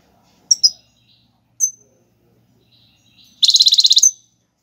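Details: European goldfinch of the Algerian royal type, song in tiwawati galoubi and serfati styles used for teaching young birds: a few sharp high chirps, then a fast buzzy trill of about a dozen repeated notes near the end.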